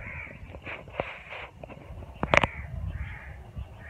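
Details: With winter approaching, birds in neem and moringa trees give scattered hoarse caws, broken by a sharp knock midway, against a low steady hum.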